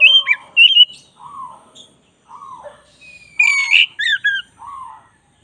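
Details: Oriental magpie-robin, black-breasted form, singing for bird training: short whistles alternating with soft lower arched notes, then a loud burst of squeaky rising and falling whistles.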